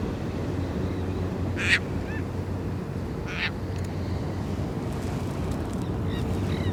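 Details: Caspian Tern at Malibu Lagoon State Beach, California, in June 2018, gives two loud, raspy, croaking crack calls about a second and a half apart, over a steady low rumble of wind or surf with faint chirps from other birds.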